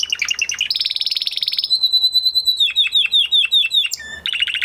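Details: Canary after moulting, singing a varied phrase: rapid stuttered trills, a long high whistle, a series of drooping slurred notes, then another fast trill.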